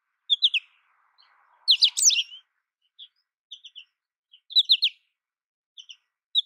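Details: An American goldfinch sings a few loud, twittering bursts between soft, isolated high peeps, with long quiet gaps and a faint low murmur early on.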